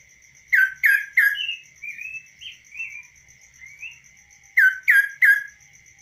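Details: Hand-tamed kaso-kaso bird singing outside a cage. Its varied song opens with three loud down-slurred notes, moves through soft wavering whistles and closes with another loud triplet, over a faint steady high tone.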